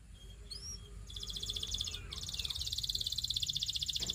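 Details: Belgian singing canary singing softly against a steady background hiss: a few thin rising whistles, then a long fast even trill repeated at a steady beat that grows slightly louder toward the end.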